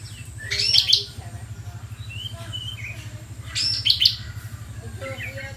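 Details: Bar-winged prinia giving short, high, sharp chirpy bursts about three seconds apart, with faint softer notes between them over a constant low mechanical hum.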